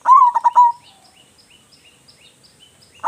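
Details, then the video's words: Zebra dove of local Indonesian stock with a big voice, singing to stimulate other doves: one full phrase of quick, throbbing coos ending in a held note, followed by high, thin chirps from other small birds and a new phrase starting at the end. "perkutut lokal gacor suara besar cocok untuk pancingan"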